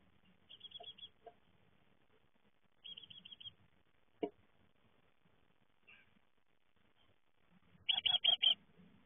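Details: Young great tits fledging from the nest give short clusters of four or five high, rapid chirps, repeated a few times with pauses, over faint low rumbling and a single sharp click.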